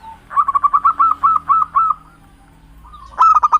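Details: Local Java zebra dove, recorded as a lure for trapping birds, gives a steady string of evenly spaced soft coos, then a short gap and a louder, harsher flurry of clipped notes.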